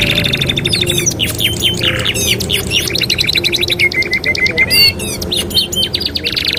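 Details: Master training song of a canary: a level trill of whistled notes, buzzy rasps, then varied fast chirps and short level whistles in continuous bright phrases, a low hum beneath.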